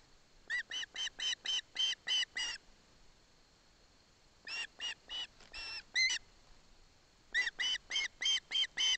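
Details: Osprey chick at Barlinek Forest, attended by its mother, taking a fish from its father: three bursts of rapid, harmonic, chirping notes repeated about four per second, with short pauses between runs.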